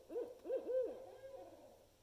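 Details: Barred owl giving a quick run of four or five mid-pitched hooting notes, each swooping up and down, ending in a long wavering tail; possibly the seldom-heard "monkey laugh" call. No other sounds.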